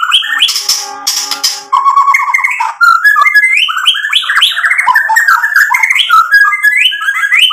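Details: Continuous, richly varied white-rumped shama song full of mimicked filler phrases, used to wind up rival birds: opening harsh rattles, then an unbroken flow of mellow slurred whistles and quick chattering notes.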